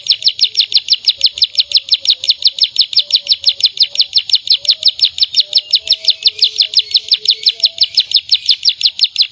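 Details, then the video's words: A canary singing gacor keeps up a long, very even trill of high, ringing notes, rapid and unbroken for the whole stretch, over a quiet background. "burung kenari cantik gacor"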